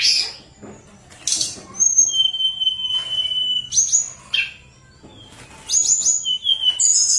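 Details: Sunda robin in lively, flute-like song, used as a lure to get reluctant birds singing: a long, thin, steady high whistle, then sharper whistled phrases and short buzzy bursts, broken by brief pauses.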